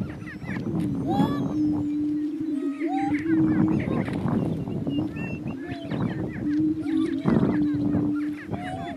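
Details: Two male Greater Prairie-chickens battle for dominance on a lek in northeast Kansas: a steady low moaning drone under rapid cackles, whoops and squeals, with wind in the background.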